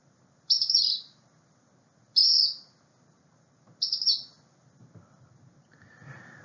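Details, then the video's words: Black Phoebe, a common flycatcher, giving three high, thin, slightly buzzy notes about every one and a half seconds, over a low background rumble with a brief noisy burst at the end. "the black phoebe is also a common bird that sounds like this"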